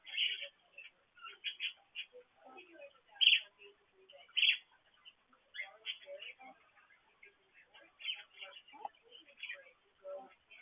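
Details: Several pet parakeets in the morning near a water fountain, picked up indoors by a petcam: bright chirps and scratchy warbling notes in irregular bursts, a few louder squeaks standing out, with no other clear sounds.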